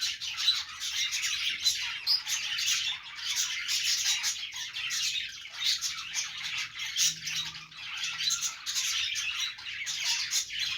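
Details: A flock of pet parakeets playing keeps up a long, dense stream of overlapping high chirps, twitters and squawks, steady in loudness from start to finish.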